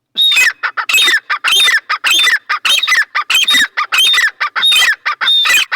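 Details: A pair of partridges giving loud, harsh, squawking calls in fast, tumbling bursts of notes with almost no pause between them.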